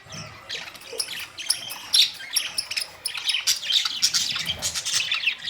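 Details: Group of budgie parrots in bright colors, recorded May 2, 2023, calling with quick bright chirps and short squeaky twitters, rising into a busier run of repeated notes in the second half.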